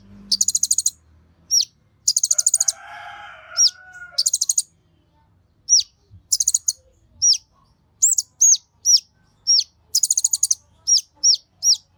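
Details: Kolibri Ninja sunbird in full, agitated song used as a lure to stir other birds to sing: rapid high buzzy trill bursts alternating with sharp hooked down-slurred notes. A brief lower rasping noise sounds early on.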